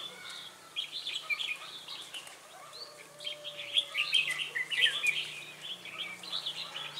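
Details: Red-whiskered bulbul singing as a lure bird for trapping wild ones at Ba Thá on 18 December 2016; clustered warbling phrases over faint background hum, louder bursts in the middle seconds.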